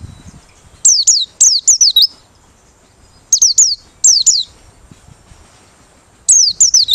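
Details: Open-beaked singing of a Merapi white-eye, kept for use as a trapping lure: bright, high, descending whistled notes in rapid bursts of three to five, separated by short pauses.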